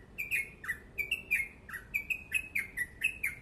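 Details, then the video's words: Crucukan, the yellow-vented bulbul, delivering fast rapid-fire song: a dozen crisp chirps in quick succession, some slurring downward and others flat, over a quiet background. "Crucukan ropel panjang gacor sped rapat"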